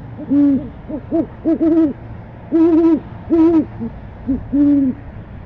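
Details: Owl from an owl-cam nest box, calling for dinner in January 2015: a series of low, double-toned hoots, some short and clipped, others longer and wavering, spaced irregularly over several seconds.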